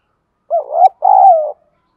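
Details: A spotted dove in the Thổ voice style, calling, urging and cooing as decoy birds do through the day. One mellow two-part coo: a brief rising, wavering hoot, a short gap, then a longer steady note that sinks at the end.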